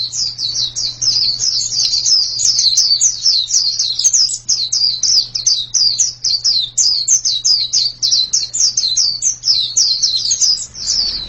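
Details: Sustained white-eye singing: a dense, nonstop run of piercing high twittering notes, each a quick downward slur, continuing over a low constant hum.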